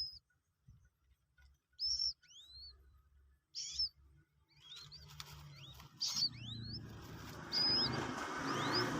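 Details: Captive Common Moorhen chick aged two days, learning to take feed pellets; scattered high piping peeps, some rising sharply, given every second or two, while a rushing hiss builds steadily in the background.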